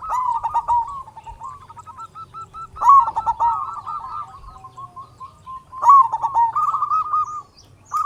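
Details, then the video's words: Local zebra dove with a big voice, singing often, used as a lure to make other zebra doves sing: rolling, bubbling coos in mid pitch, phrases starting near 0, 3 and 6 seconds, with a faint low hum beneath. "Perkutut Lokal Gacor Suara Besar Pancingan Burung Perkutut Agar Cepat Bunyi"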